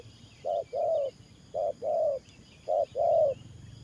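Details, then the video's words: Spotted dove used as a ground-trapping decoy, cooing 'thổ pha' style: three low two-note phrases, a clipped hoot leading into a fuller sustained coo, with low hum and faint chirps behind. "Thổ Pha Nước Gù AE Tự Thẩm.Clip288_ Nết Gù coi sướng mắt"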